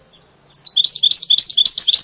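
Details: European goldfinch kept in a cage, tutored on a hybrid, bursting into a fast high twittering run of bright chirped notes after brief quiet.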